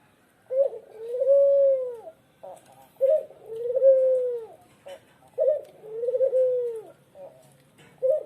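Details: A tame, vocal Lombok barbary dove (puter, petuk Lombok) coos steadily: each call opens with a short clipped note, then swells into a long, mellow, arched coo, repeated roughly every two and a half seconds against a quiet background.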